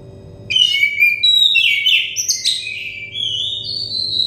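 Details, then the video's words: Oriental magpie-robin singing, meant as therapy for stressed or untrained birds: after a short quiet lead-in, a dense stream of sweet whistles, rapid rising and falling slurs and a long held high note, over a faint steady hum. "terepi kacer bahan kacer setres kacer daon cepat gacor ngeplong"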